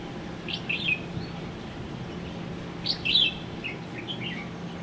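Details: Red-whiskered bulbul (Pycnonotus jocosus), an introduced species on O'ahu, Hawaii, calling: two short bursts of bright, chirpy, warbled notes about two seconds apart, over a low steady background hum.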